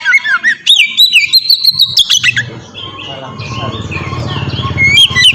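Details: Oriental magpie-robin (kacer) in loud, melodious ngeplong style, used as a lure to get young birds singing: quick varied whistled phrases and sharp chirps for two seconds, then a steady low hum with faint notes and a final whistle.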